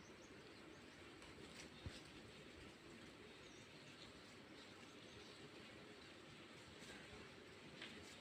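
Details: Steady rumbling rail traffic fills the recording, with clattering wagons and faint squeals over an outdoor rural background, and no animal voice stands out.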